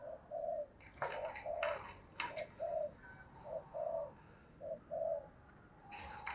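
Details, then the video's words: Spotted dove giving the cooing meant to prompt fast calling: short, hollow, low coos in pairs, repeated roughly once a second, among loud clicks and knocks nearby. "cu gay kich boi nhanh noi gù"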